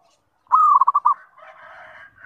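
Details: Zebra dove call used as a lure to make other zebra doves respond: a rising, steady coo that breaks into four quick, mellow pulsed notes, then a softer, rougher murmur.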